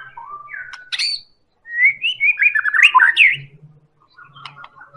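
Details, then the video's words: White-rumped shama of the Medan type, used as a lure to make other birds sing: varied clear whistled phrases, rising and falling slurs, then a rapid tumbling burst of notes, with a brief quieter tail. "Real Pancingan Murai Batu Medan Super"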